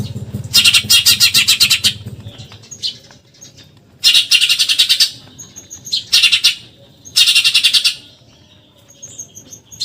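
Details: Fast, harsh 'tembakan nyerecet' rattles from a Eurasian tree sparrow in a recording for training contest birds: four dense bursts of rapid buzzy notes, each lasting about a second, with soft twittering in the gaps.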